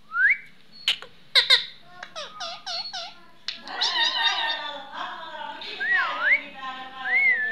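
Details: A pet talking Indian ringneck parrot in a quiet room chatters and whistles: sharp clicks, a run of quick wavering notes, then rising-and-falling whistled phrases.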